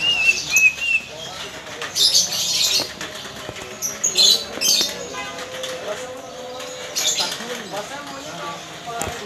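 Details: A lesser green leafbird, a competition bird, gives bursts of high, chattering, scratchy notes in quick irregular runs with a few clearer whistles while learning its 'ngetrok' trill and how to respond to a rival; faint voices and rustling behind.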